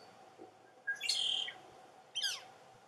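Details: A nestling northern flicker in a snag's nest hole near a pond gives a long, harsh, buzzy call, then a shorter descending rasp, against a steady low hum.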